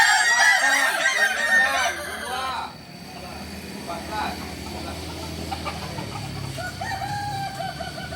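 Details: Kukuak Balenggek rooster from Solok gives a harmonic crow lasting over two seconds, then it ends and a steady engine-like rumble and faint voices take over.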